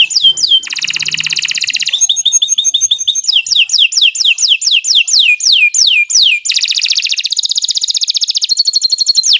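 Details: Canary in a training lure recording, a long varied song of dense buzzy trills alternating with series of falling whistled notes, delivered without pause.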